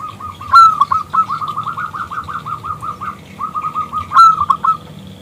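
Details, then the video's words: Local zebra dove, strong clear voice, calling to a male; a sharp loud note opens a long string of rapid bubbling coos at one pitch, repeated after a short pause with another sharp opening note. "PERKUTUT lokal Gacor Suara BESAR Kristal Memanggil JANTAN ngajak BUNYI"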